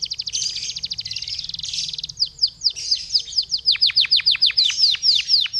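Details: Canary singing as a lure for other canaries to sing: a fast buzzy trill at first, then a run of steep downward-sweeping notes repeated about every quarter second, high-pitched and clean.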